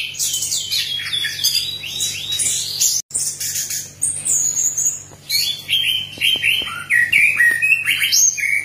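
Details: Orange-headed thrush in full, energetic song, played to encourage other birds to sing: dense streams of high, varied warbling notes, brief pause, then repeated descending whistled slurs mixed with squeaky chips.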